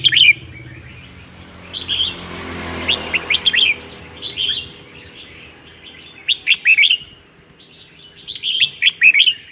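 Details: Red-whiskered bulbul singing ché song on a cold day in Sơn La, Vietnam. Lively, repeated bursts of sharp, sweet, chattering notes arrive every second or two, with brief pauses and a faint rushing sound midway.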